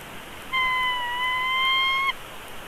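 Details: Bald eagle chick, hatched 3 March, begging while being fed at its nest in Big Bear Valley on 17 March 2022: one drawn-out, steady whining note with ringing overtones, lasting about a second and a half over a soft background hiss.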